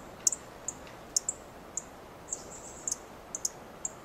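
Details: Dark-eyed junco calling from a twig in a Coast Live Oak: a dozen bright, very high tick notes in four seconds, uneven spacing with a few close doublets.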